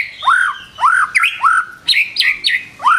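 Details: White-rumped shama in a morning lure recording: full, rounded upward-swooping whistles about every half second, mixed with brief higher downslurred notes.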